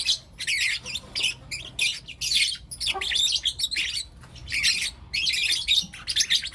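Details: Four young lutino lovebirds in the morning, giving dense bursts of shrill, raspy chirps and squeaks with brief gaps between them.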